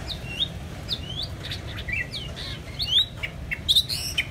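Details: ['White-rumped shama singing: a varied run of clear whistled notes and short slurred phrases, some sharp and high, delivered in quick irregular bursts over a low background hum.']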